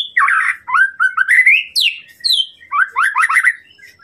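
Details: White-rumped shama song used as a tutor recording to provoke a rival's aggression: a fast run of rich whistled phrases, rising sweeps and slurred notes, then a burst of rapid chattering trills near the end, clean background.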